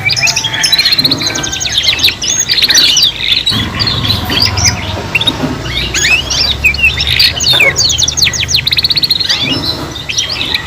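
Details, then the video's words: Canary song of three young learners: repeated bursts of rapid high trills and chips separated by short gaps, overlapping voices, and a steady low rumble in the background. "KENARI PAUD BELAJAR BUNYI BARENG 3 IN 1 | CANARY SINGING"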